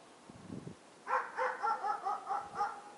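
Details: Fieldfare in late winter, when thrushes gather to feed on berries left on branches; a harsh chattering series of about seven rasping notes in quick succession, preceded by a brief low rustle.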